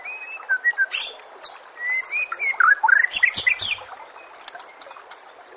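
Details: White-rumped shama song for training caged shamas, over nature sounds and running water: clear whistles followed by a dense burst of quick, varied, warbling notes and sharp high chips, fading toward the end.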